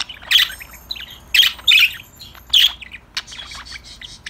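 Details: Budgerigars chirping, singing and talking to one another: loud, harsh squawky chirps about once a second, with softer twittering and clicks between them.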